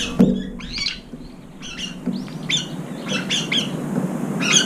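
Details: Late-arriving brown-eared bulbuls jostling at an almost empty food bowl, each chasing off approaching rivals; a run of sharp, screechy downslurred calls repeated about every half second over a quiet background.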